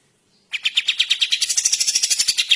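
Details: Bulbul, a training recording for songbirds, giving a fast, loud, buzzy rattling series of harsh notes repeated about seven times a second after a brief silence, growing fuller and higher toward the end.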